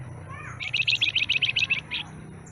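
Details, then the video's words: Newly acquired flamboyan with a stubby tail gives a quick burst of about ten bright, evenly spaced, high-pitched chirping notes lasting just over a second, over a low steady hum. "Suara Asli Kicau Flamboyan Ekor Buntung"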